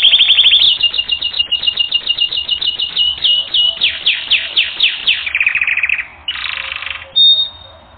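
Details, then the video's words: Canary singing for training: a long run of rapid, sharply repeated chip-like notes, about four per second, gradually slowing, then a lower buzzy trill and a short high whistle. "Canary Training Recording - 1 Hour"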